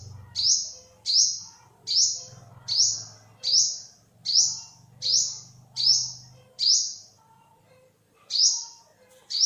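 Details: Olive-backed sunbird giving a loud series of high, sharp, down-slurred cheeping notes, about eleven in nine seconds, spaced under a second apart with one brief pause; a faint low hum underneath.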